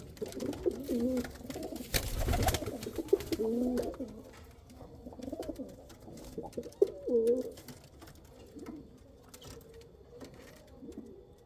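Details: Kal Cheeni and Rampuri pigeons coo softly and deeply in a run of rolling, repeated phrases that fade toward the end, apparently in a small room, with a brief loud rustle near the start.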